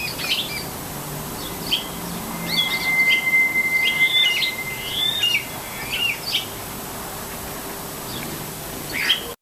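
Sparrows chirp in quick, uneven bursts of short, bright notes, several a second, with a thin steady whistle running briefly underneath and a quiet outdoor background.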